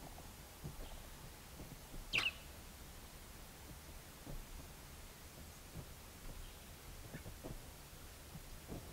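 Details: A juvenile Verreaux's eagle-owl in Kruger National Park gives one harsh, rasping screech, with a couple of fainter rasps later, over a steady low rumble of background noise.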